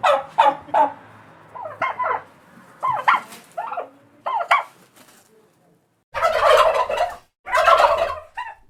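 A turkey gives a run of short, rising yelps and clucks, then two loud, rattling gobbles of about a second each. No other sounds are heard.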